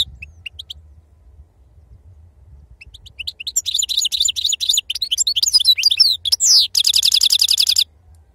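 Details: Goldfinch singing the authentic wild sarfati style. Sparse high chirps build into a fast tumbling twitter of varied liquid notes, finishing with a dry, rapidly repeated buzzy trill.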